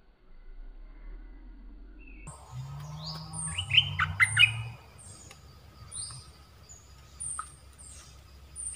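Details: Red-whiskered bulbul, a captive decoy bird used for trapping wild birds, recorded just after its molt. Short bright warbled phrases, a cluster of rapid rising-falling notes midway, with thin high chirps above and a low steady hum underneath.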